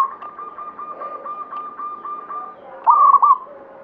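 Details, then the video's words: Zebra dove, local Banyumili katuranggan type, in active song. A long, even series of quick, soft coo pulses on one pitch leads into a loud, rolling, stuttered coo phrase. "SUARA PERKUTUT LOKAL KATURANGGAN BANYUMILI GACOR"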